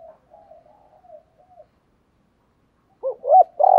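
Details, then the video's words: Spotted dove cooing in a recording used to stir and lure wild doves. Soft, low cooing notes come first, then a pause, then a sudden loud burst of two or three rounded coos at the end. "Tiếng chim cu gáy kích bổi mới [ tiếng THÚC, GÁY GỌI, GÙ ĐẤU ]"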